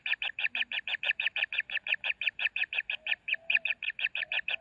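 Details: Nestling common kingfishers calling during feeding, giving rapid harsh rasping notes repeated roughly three times per second in an even, insistent rhythm, with faint low murmurs beneath.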